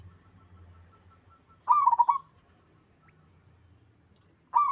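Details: Local wild Zebra dove, a bird whose song other doves answer, gives one fast, bubbling, trilled cooing phrase of about half a second, then silence, then the next phrase begins at the end; faint low hum underneath.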